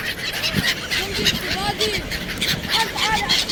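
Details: Black-headed gulls in Sharjah, 1 January 2024, giving harsh, rising-then-falling squawks in quick succession, several birds overlapping, over a steady hiss of wind or surf.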